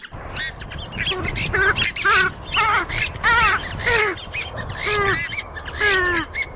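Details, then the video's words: Purple swamphen calling: a series of harsh, nasal squawks with stacked, bending tones, repeated in bursts about every half second to a second, over a steady high hiss. "Tiếng Chim Trích Cồ Kêu"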